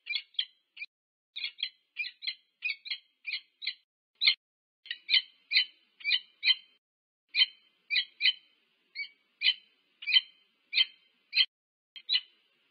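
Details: Wild peregrine falcon pair meeting at their nest on a nest camera at UC Berkeley, USA, on 25 August 2023: harsh, clipped, chattering two-part notes repeated about twice a second in uneven bursts, against an otherwise quiet background.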